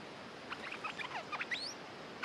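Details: Stripe-throated bulbul song used as a lure for territorial birds: a burst of short bubbly notes and rising whistled slurs with a few upward sweeps, over a steady hiss of background noise.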